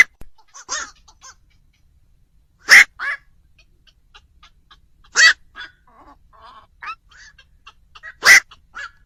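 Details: Black-crowned night heron calls used as a lure for trapping birds at night before Tet: three loud, harsh, clipped squawks roughly every 2.5 seconds, with fainter croaking calls from other birds in between.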